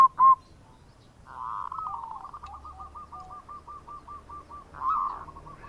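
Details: Local zebra dove singing the bekur coo meant to attract other birds: one loud opening note, then a softer warbling phrase and a long run of small hooked notes at a steady fast pace, with a faint low hum beneath.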